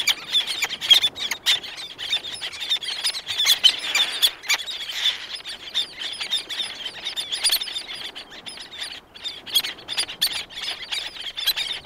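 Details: Black-naped terns, several calling close with others in the distance, wing beats audible; dense overlapping harsh, squealing high calls repeated rapidly throughout, some louder bursts near the start and middle.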